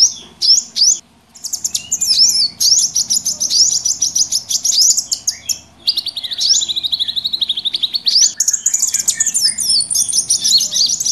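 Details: Busy mixed chorus of small wild birds meant to lure birds into traps: rapid, high, repeated chirps and trills run nearly nonstop, with a thin sustained whistle late on.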